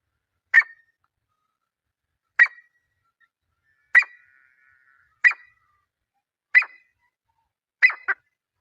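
Grey francolin giving six loud, sharp, ringing notes, one every one to one and a half seconds, the last one doubled, against a quiet background.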